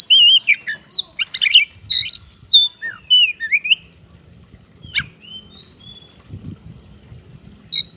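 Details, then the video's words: Oriental magpie-robin song played to provoke other birds into singing: varied clear whistles, slurred rising and falling notes and short harsh bursts for about four seconds, then sparse single notes over a faint low rumble. "PANCINGAN KACER GACOR NGOBRA NGOTOT"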